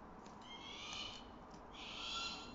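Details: One of three captive striated caracaras during enrichment gives a rasping, screechy cry, then a second, louder harsh scream, both rich in overtones, against a steady low background hum.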